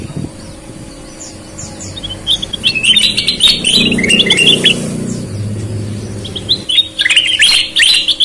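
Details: Sooty-headed bulbul, red-eyed versus white-eyed, in vigorous song: dense tumbling chirpy whistles with sharp clicks, a low rumble in the middle, then a renewed burst of bright notes.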